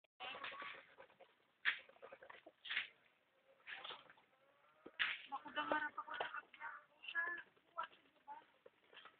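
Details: Hungry domestic ducks begging for food: harsh, raspy quacks in irregular clusters, some overlapping, with short pauses between bursts.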